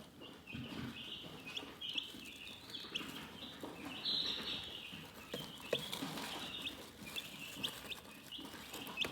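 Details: A calm group of chickens chirps in high, overlapping twitters, with occasional sharper peeps and low shuffling noises.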